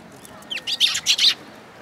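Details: Sparrows at a feeding place in a plum tree at a Tenmangu shrine, 22 May 2022: a quick burst of four or five sharp, high chirps in under a second over quiet background hiss.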